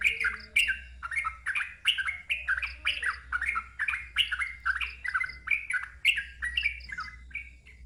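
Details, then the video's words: Sooty-headed bulbul in loud, continuous ngeropel song with a wild-type voice. Short, liquid, down-slurred phrases tumble out at a steady quick pace, roughly two per second, with a low background hum. "KICAU TRUCUKAN NGEROPEL KERAS SUARA NGALAS"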